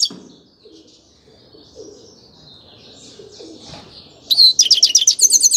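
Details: Grey-crowned goldfinch song, mostly quiet, thin, wavering warbles at first, then a bright, loud run of fast chattering, high-pitched twitters in the final second.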